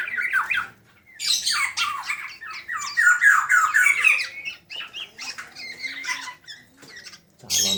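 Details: Fledgling black-naped orioles giving 'ngeriwik' chatter: dense runs of harsh, scratchy squawks and sliding chirps tumbling over one another, with brief pauses between bursts, indoors.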